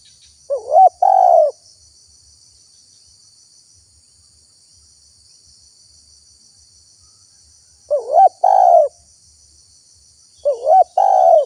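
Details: Spotted dove cooing, used as a lure to attract wild doves. Three separate phrases of low, rounded coos are spaced several seconds apart. Each phrase opens with a wavering note followed by a longer, fuller coo. A steady faint high insect buzz runs in the background.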